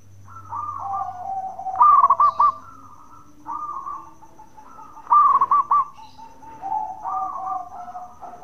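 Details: Local zebra dove, a bekur-voiced bird used to provoke other doves into answering, giving two loud stuttering coo phrases of rapid pulsed notes, each followed by softer drawn-out cooing, with quieter cooing from other doves between.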